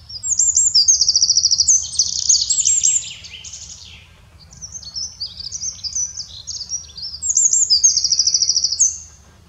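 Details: Eurasian wren repeatedly singing in the Eifel, Germany: a loud high trilling phrase, a softer stretch of twittering notes, then another loud rapid trill, all very high-pitched and hurried.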